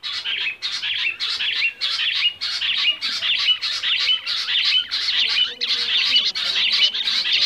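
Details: Rock bush quail giving loud, continuous squeaky chatter in pulsing bursts roughly every half second, with dense overlapping high notes throughout.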